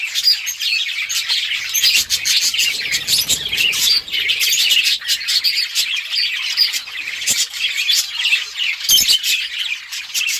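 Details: Several budgerigars playing together, October 30, 2023, fill the air with a long, unbroken stream of high twittering chirps and occasional harsher squawks from many birds at once.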